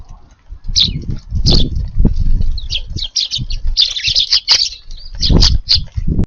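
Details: Garden Eurasian tree sparrows at midday feeding on a warm February day, giving quick bright chirps in clusters, with soft wing flutters and low knocking sounds beneath.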